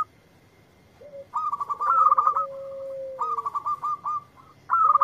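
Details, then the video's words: Local zebra dove (perkutut) answering a lure recording straight away: bursts of clear, rapid staccato coos near the same pitch, with a lower, drawn-out sliding coo between the phrases. "Perkutut Lokal Gacor yang ND4blek langsung nyaut"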